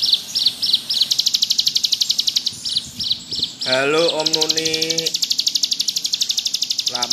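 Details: Bar-winged prinia pouring out ngebrem song: spaced, high chirps lead into a long, dense buzzing trill. Midway, a louder, lower harmonic call with wavering pitch cuts across for about a second.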